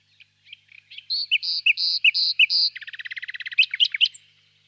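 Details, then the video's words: Singing common nightingale: brief opening notes, then several loud, drawn-out buzzy churring phrases, followed by a quick rattle of repeated clicking notes and a closing flourish of sharp chirps. "пение соловья"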